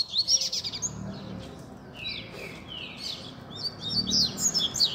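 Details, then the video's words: Kept double-collared seedeaters in a warm-up chorus for a competition bird at a Sunday keepers' meet. Sharp high notes and slurred descending whistles mix with busy twittering over a low background hum. "BADERNA de Coleiros"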